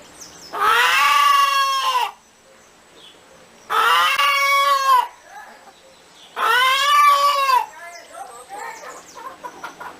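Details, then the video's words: Chicken cackling with three long, loud, strained squawks about every two and a half seconds, then a burst of short, quick clucks. "Galinha Cacarejando | Galinha Cantando | Som De Galinha | Canto Da Galinha | Cacarejo Da Galinha"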